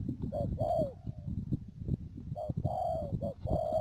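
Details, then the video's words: A trapping decoy spotted dove at Mương Điều, Đầm Dơi, Cà Mau, 12 March 2019, gives a few drawn-out mellow coos partly buried under loud low rumbling, handling noise and brief speech. "BẪY CHIM CU GÁY CÀ MAU .BỔI MƯƠNG ĐIỀU"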